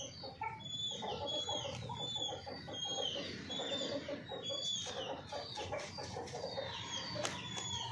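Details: Hens give steady, low, throaty clucks throughout. Many thin, high whistled notes from other birds overlap them.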